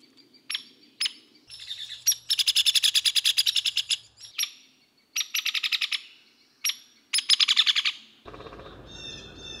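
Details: Hairy woodpecker drumming against a tree: three rapid, even rolls, each about a second long, with single sharp knocks between them and a brief rustle at the end.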